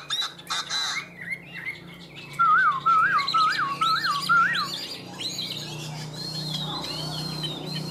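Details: Yellow-legged Chinese hwamei in a cage, noted for loud singing, gives varied whistles, then a series of five bouncing, wavy whistled phrases, trailing off into softer high whistles over a low background hum.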